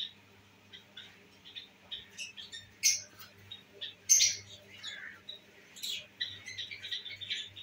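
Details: Pet albino red-eyed lovebirds kept at home and enjoying themselves give shrill, high chirps and squawks in irregular bursts, some louder harsh notes standing out, with a faint low hum in the background.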